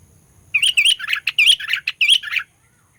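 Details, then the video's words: Sooty-headed bulbul song used as a lure to provoke rival birds: a lively run of about ten bubbly, chattering notes over two seconds, mid-high and slightly burry, with a quiet low hum underneath. "Burung Kutilang Pikat Gacor Fighter, Paling Jago Mendongkrak EMOSI Kutilang LAWAN"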